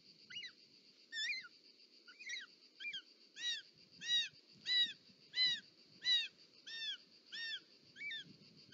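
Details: Short-toed snake eagle at a nest in Parc Natural dels Ports, Catalonia, 18 July 2024, as a snake is delivered: a few hesitant slurred notes build into a steady run of loud, arched, overtone-rich whistles about every 0.7 seconds, with rustling beneath.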